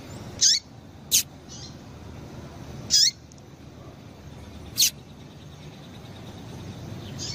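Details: Calling female double-collared seedeater, used to excite males: a series of short piercing high chirps, some with a falling tail, spaced roughly a second or two apart, against low steady noise.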